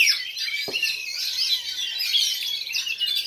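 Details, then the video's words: Black Oriental magpie-robin, caged, showing a bowing style at a routine singing-contest practice in Lhokseumawe on 9 January 2022; continuous, piercing high twittering and warbled whistles fill the clip, with one brief knock near the start. "KACER KALA HITAM GAYA SUJUD"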